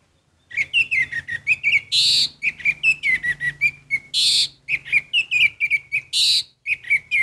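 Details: Orange-headed thrush pouring out lively, continuous song of rapid slurred whistles and twittered notes, broken roughly every two seconds by a loud harsh rasping burst.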